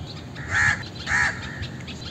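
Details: An Indian crow gives a pair of harsh, throaty caws in quick succession, each strong and brief, over quiet background hiss.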